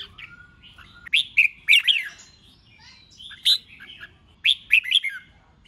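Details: Red-whiskered bulbul song for a singing contest, the 'ché chét' voice meant to excite other bulbuls. Groups of two or three emphatic whistled notes with downward slurs recur every couple of seconds, the space between nearly quiet.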